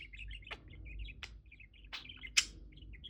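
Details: A male pet budgerigar sings as he swings, giving a soft, continuous chattering warble of quick wavering notes. Four sharp, scratchy squeaks or clicks break through the warble.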